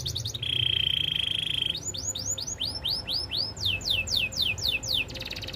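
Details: Training song of a Belgian canary: a bright buzzy trill, then a series of rising whistled arcs that shift into faster falling sweeps, ending in a quick high rattle.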